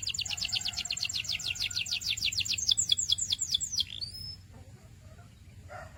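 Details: Canary singing a quick chain of repeated high chirps that slow into descending whistled sweeps, followed by a short rising whistle and near silence with soft background hum.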